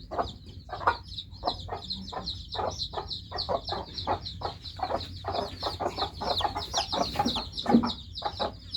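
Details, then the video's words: Newly hatched chicks chirp constantly in high, piping notes, several overlapping, while quick dry clicks and soft rustling fill the gaps beneath them. "Just New Hatched Chicks Chirping Sound"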